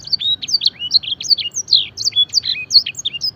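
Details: Fancy canary singing a training song that mimics blackthroat and edel sanger birds: rapid, bright chirped notes and slurred whistles, many sweeping up or down, delivered in a steady unbroken stream with faint low background hum.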